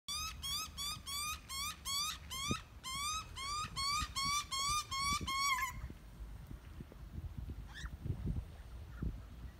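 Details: Noisy Australian magpie young begging as a parent feeds it: harsh, rich, upward-sweeping squawks about twice a second for nearly six seconds, then mostly quiet with one faint call and low rumbling background noise.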